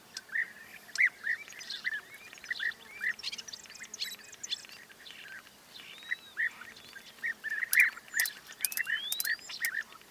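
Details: European bee-eaters calling: many short, rolling, slightly trilled notes repeated throughout, several birds overlapping in a busy chorus, with a few sharp higher clicks and thin upslurred notes near the end over a quiet background.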